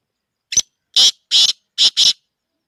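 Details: Black francolin, known as kala teetar, kept for sale: a crisp short note leads into four harsh, rasping bursts in quick succession, paired rhythm, loud and clear with a silent background.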